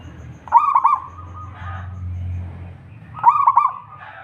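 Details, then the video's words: Local zebra dove, singing actively, its voice used to lure other zebra doves into calling: two bursts of soft stuttering coos, each a quick run of rolling notes followed by a longer held tone, with a low hum underneath. "perkutut lokal gacor / suara merbok suara perkutut merdu"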